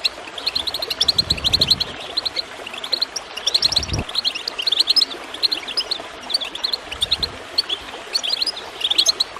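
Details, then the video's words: Goldfinches chirping over gurgling water, played to encourage other birds to sing: rapid, bright twittering notes packed together, with short dull thumps and splashes from the water near the start and middle. "Water gurgling with goldfinch chirping to encourage birds to song"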